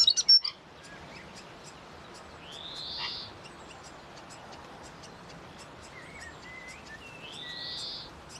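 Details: Grey fantail song of high rising swept whistles, repeated about every five seconds, interspersed with short thin twittering notes; a sharp knock sounds at the start.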